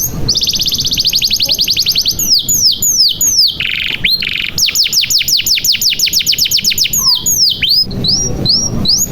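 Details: Canary song as a lure for young canaries: a rapid, even high trill, then varied sweeping notes, a short buzzy section, and a long run of repeated bright notes.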